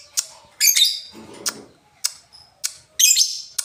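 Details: Indonesian lovebird performing ngetik, ngoek and ngekek: irregular sharp ticks mixed with short shrill squeaky bursts, plus a soft low rustle in the middle of the passage.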